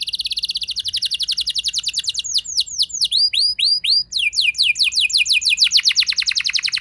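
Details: Canary performing a luxurious rolling song to trigger other canaries. It opens with a continuous fast trill, shifts to sweeping, downward-curving whistles, and then returns to a rapid, rattling trill.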